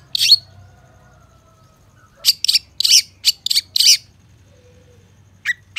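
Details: Cendet, the long-tailed shrike, in a lure recording: an opening harsh burst, then a quiet stretch, then a quick series of five rasping high notes and two short sharp chips at the end.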